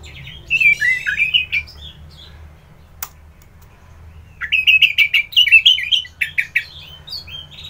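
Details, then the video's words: Orange-headed thrush pouring out rich, warbling song: jumbled fast whistles and slurs in two long bursts, separated by a quiet gap with a single sharp click. "Merdu Kicauan ANIS MERAH Gacor"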